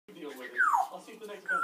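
An African grey parrot gives a brief, voice-like phrase with a falling whistled sweep, then a short higher note, all within under two seconds.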